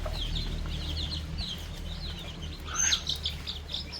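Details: Young chickens and chicks eating fresh termites at a farm; sparse high chirps come in short bursts, with a louder rustle and brief sharper notes near the end over low background rumble.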